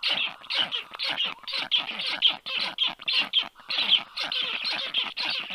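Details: Rasping, hissing calls from black stork nestlings, about two every second, as a stranger stork sits above their nest on 4 July 2022 at 1:30 p.m.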